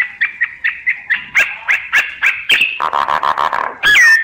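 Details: Myna lure calls for bird survey work: a run of short, evenly spaced chirping notes, then a harsh buzzy stretch and a lower rattling series, ending in a loud sweeping whistle.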